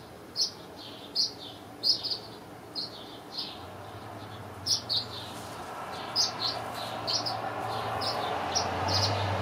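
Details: Tree swallows from backyard nest boxes around their young's first flight, around Canada Day, giving short, high chirps at an uneven pace over a steady background hiss and low rumble.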